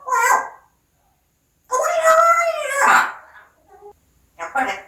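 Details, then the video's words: Pet parrot speaking in Korean, repeating words such as "thank you", "like" and "ABC"; a short voiced word, a pause, then a long drawn-out, wavering speech-like phrase and a final clipped syllable. "앵무새똘이ABC 구독ABC 좋아요ABC 고맙습니다ABC"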